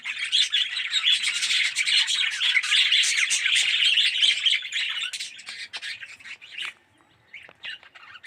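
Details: Red-eyed yellow budgerigars in an aviary colony, loud massed chirping and warbling for about five seconds, then thinning to scattered sharp chirps and short gaps of near silence.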